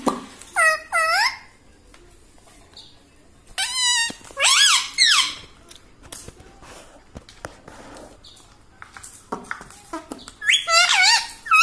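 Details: Pet rose-ringed parakeet, kept indoors, talking like a human: three bursts of harmonic, parrot-voiced speech, bright and rising-falling, separated by quiet gaps in a small room.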